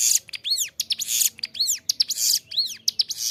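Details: Loud, continuous song of a Bar-winged prinia, recorded for training captive birds: dense buzzy trills between arched whistled notes, repeated at a steady, quick pace.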